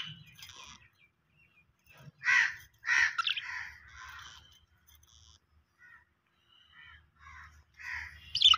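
Australian parrots give harsh, raspy screeches in short bursts, three or four close together, then quieter chatter and a final loud squawk over a faint low hum.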